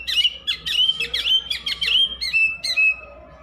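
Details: Oriental magpie-robin singing nonstop: a fast run of bright whistled notes with sharp chirps, held steady around a strong high tone, ending in two separate longer whistles.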